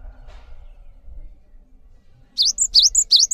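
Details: After faint background noise, a cinereous tit kept for tutoring other birds gives three crisp high whistled phrases in quick succession, each a sharp swoop ending in a bright upward note.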